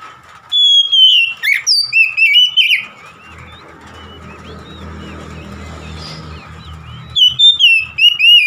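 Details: Oriental magpie-robin song: loud, varied whistles and trills for over two seconds, a quieter stretch with faint twittering, then another run of bright, looping whistled phrases.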